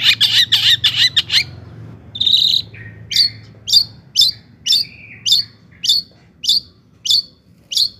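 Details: Song of a long-tailed shrike, played to provoke other shrikes to sing: a quick run of harsh rasping notes, a brief pause, then crisp high notes repeated evenly about every half second.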